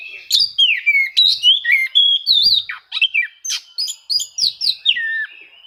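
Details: Oriental magpie-robin rival-seeking song, used to stir reluctant birds into singing: rapid series of loud whistled notes, many falling slurs and quick upsweeps, about three or four per second.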